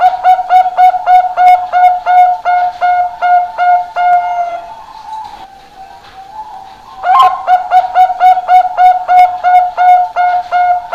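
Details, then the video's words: One-year-old Bangkok-type zebra dove, kept as a promising contest bird, sings rapid, even, flute-like coos at about three per second, pausing briefly midway before the steady rhythmic cooing resumes. "PERKUTUT BANGKOK CALON JUARA UMUR 1 TAHUN SUARA ISTIMEWA"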